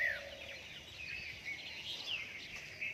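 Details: Birds singing at dawn after rain: scattered thin, high chirps and short downslurred whistles from several birds, with a soft lower whistle near the start over steady background hiss.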